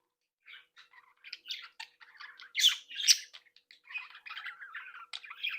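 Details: Budgerigar breeding flock chattering happily while playing and socialising, a stream of quick, scratchy chirps, clicks and warbled notes, growing busier and louder midway, with several sharper squawky bursts.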